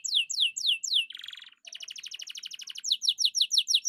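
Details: Atlantic canary (kenari), prolific 'gacor' singer used to get quiet birds singing; clear descending whistled sweeps, a buzzy rattle, an even rapid trill, then more quick downslurred sweeps.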